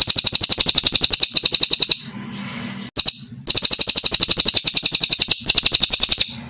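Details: Kalimantan brown cililin singing, recorded as training material for songbirds: extended rapid high-pitched trill bursts of evenly spaced notes, interrupted by brief gaps of soft background hum.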